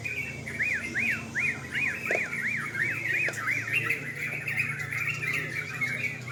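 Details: Night singing contest of sooty-headed bulbuls: one bird repeats clear up-and-down arched notes roughly three per second for several seconds while other birds chatter behind it and a low hum runs beneath.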